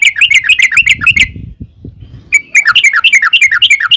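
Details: Sooty-headed bulbul in long rapid-fire song used to draw other bulbuls into replying; quick bubbling repeated notes, a pause with soft low knocks, then another fast chattering run.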